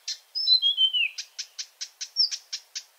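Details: Night song of a Marsh Warbler: one long falling whistle slides downward, then a rhythmic string of crisp high ticks follows, evenly spaced, with one brief rising note among them.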